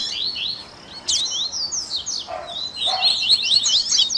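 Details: Captive double-collared seedeater in a warm-up recording meant to get another caged bird singing: rapid, high, buzzy chirps and slurred notes, with a loud sharp note near one second and a brief lull before the chatter resumes.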